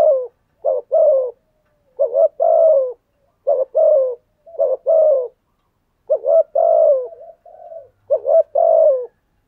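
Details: Thúc gù coo of a spotted dove, a pattern that provokes wild birds to coo in reply; soft low hooting bursts, a quick double note then a longer wavering falling one, repeated in clear groups.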